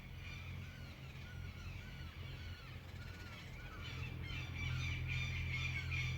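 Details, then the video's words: Birds singing on an early autumn morning in the countryside around a town in central Buenos Aires Province, Argentina; repeated mid-pitched slurred notes and chirps, with a fuller chorus building toward the end over a steady low rumble. "Despertar con el sonido de los pájaros"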